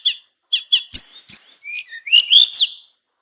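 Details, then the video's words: Tame Tledekan songbird in flute-like full-fill song: a few short chirps, then a fluid run of falling and rising whistled slurs ending in bright upward notes, nothing else audible. "Burung Tledekan Jinak nyuling full isian"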